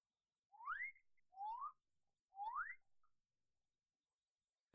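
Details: A male Magnificent Riflebird at his courtship display area in dense lowland forest gives three loud, clear, far-carrying whistles sweeping upward under a second apart, advertising to females and announcing himself to neighbouring males.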